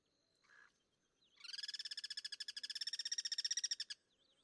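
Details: Wild Guira cuckoo in its natural habitat, one of a group cross-singing as sentinels atop a Duranta shrub: a brief soft note, then a fast, harmonic, evenly pulsed rattle of about two and a half seconds before it stops abruptly.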